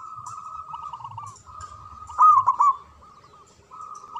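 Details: Local zebra dove in full song, used as a lure to set quiet doves singing: one loud, quick, bubbling cooed phrase midway over steady soft cooing from several other doves.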